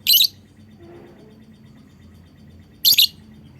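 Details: Lovebird call meant to prompt other lovebirds to join in calling: two sharp, shrill chirps nearly three seconds apart, each a quick double burst, with faint low background hum between.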